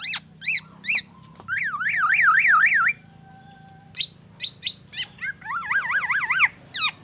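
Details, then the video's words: Black-naped oriole imitating an ambulance siren and an oriental magpie-robin; a few sharp notes open into a loud, wavering, siren-like warble lasting over a second, then scattered chirps and another undulating siren phrase. "KEPODANG EMAS TELER BONGKAR ISIAN MURAI BATU DAN SIRENE AMBULANCE"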